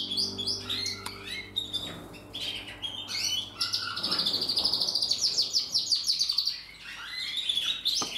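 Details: Portuguese Harlequin canary, a bred domestic bird, recorded in 2024, singing a fast, varied high song of chirps, trills and buzzy rolls, with a sustained rapid trill in the middle and a faint low hum beneath.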